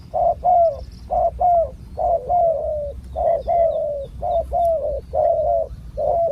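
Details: Spotted dove calling in the wild while being lured with a decoy. Rich, low coos run in quick clusters, some notes drawn out and sliding down, with a quiet background.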